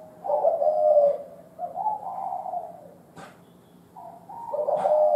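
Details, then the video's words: Mature wild spotted dove with a thổ đồng style call: low, mellow cooing phrases of drawn-out, slightly wavering notes in three bursts, with two sharp clicks near the end. "cu gáy thổ đồng già rừng"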